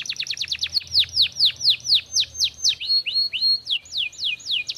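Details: Vigorous canary song: a quick run of steep downward-sweeping notes slows into loud, spaced, swooping whistles, some rising and some falling, each note repeated a few times before the next phrase begins.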